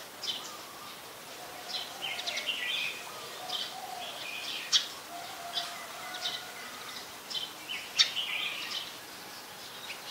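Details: Brown-throated sunbird in Ubon Ratchathani, Thailand, 15 January 2021: sharp high chirps and short twittering bursts scattered through the clip, over soft lower whistled notes from other birds and a steady outdoor hiss.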